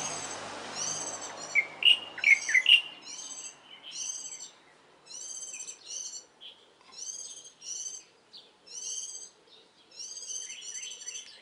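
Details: Warbling white-eye song in the early morning, mid-April: a cluster of loud sharp chirps, then long runs of high, ringing phrases repeated every second or so.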